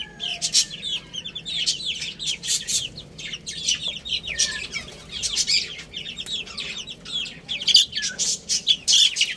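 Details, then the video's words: Young chicks chirping as they eat and play: bright, high peeps repeated in irregular clusters over steady scratchy pecking at feed. "Cute Little Chicks Chirping Sounds"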